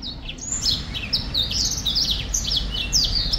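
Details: Black-throated finch singing in 2023: a lively stream of high chirps, each a brief downward slur, packed closely for over three seconds. A faint low rumble lies beneath.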